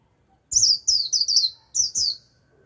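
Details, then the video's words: Japanese white-eye lure bird calling wild white-eyes, 'líu' style singing: short clusters of very high, sweet, downward-slurred twittering notes with a brief gap in the middle, faint low background rumble. "Vành khuyên mồi gọi bổi cực tốt, bổi đến cả đàn, bật líu theo."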